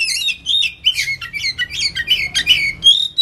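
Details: Kacer (oriental magpie-robin) in the ngetem singing style, as a lure: dense, scratchy chattering mixed with sliding whistles, notes coming about three per second without pause.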